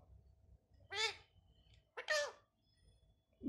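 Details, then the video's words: Talking pet parrot asking for roti in Hindi: two separate short, harsh, speech-like syllables about a second apart, high and nasal, over faint low background hum. "bolne wala tota। मम्मी मिट्ठू रोटी खानी है।"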